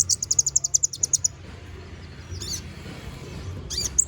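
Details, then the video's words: Konin bird singing energetically, used as a training song for magpie-robins: a fast run of about a dozen thin, very high chirps over a little more than a second, then scattered squeaky notes over a low hum. "MASTERAN BURUNG KONIN GACOR NGOBRA FULL ISIAN!"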